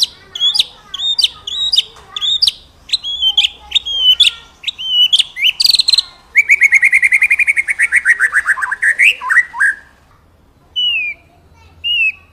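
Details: White-rumped shama song for training birds: evenly spaced sharp whistled notes, then a long, rapid, buzzy trill that slowly falls, ending in a few brief whistles after a silence.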